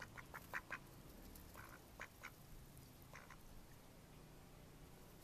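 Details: A few scattered quacks from Mallard ducks in May 2014. A short cluster comes at the start and isolated notes follow, fairly faint against a steady low background noise.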